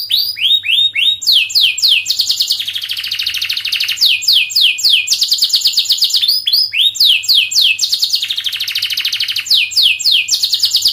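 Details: Canary in long, rapid song to prompt young canaries to sing: repeated bursts of quick downward-sweeping notes alternating with extended rattling, buzzy trills, continuous over the whole stretch.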